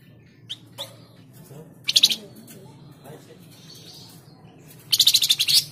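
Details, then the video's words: Flamboyan bird song, played to coax caged birds into singing: two short, high, pulsed rattles of rapid repeated notes, separated by several seconds with a few brief thin chirps, over a low background hum. "Pancingan Burung Flamboyan"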